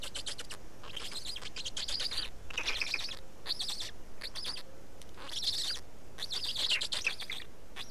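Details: Black stork nest in Estonia at feeding, 19 May 2019 mid-afternoon; clustered bouts of hoarse, stuttering pulses that rise and fall in intensity, separated by short quiet breaks.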